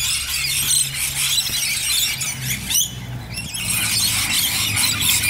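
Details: A flock of rainbow lorikeets in Bonnyrigg keeps up a dense, shrill screeching chatter of overlapping high squeals, over a low background rumble.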